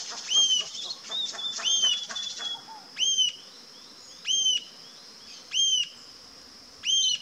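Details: Rufous-tailed jacamar (Galbula ruficauda) giving loud, high, sharp upslurred whistled notes, each ringing call repeated roughly every one to one and a half seconds, with quicker chattering notes at the start over a steady insect-like hum.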